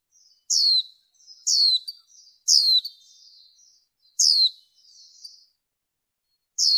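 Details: Female warbling white-eye lure call, cleaned of noise for the 2023 season and aimed at exciting males. Five bright, shrill, down-slurred notes, the first three in rapid sequence, each trailing into a light buzzy warble.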